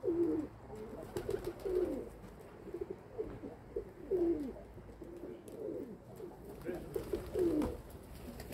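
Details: Group of pet domestic pigeons giving repeated deep rolling coos, each phrase swelling then dropping, roughly every second or two, with faint background noise.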